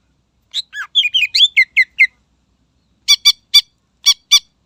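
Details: Greater green leafbird song used to provoke rivals. A rapid, jumbled run of slurred chirps and whistles gives way to five loud, harsh, identical clipped notes spaced at short intervals.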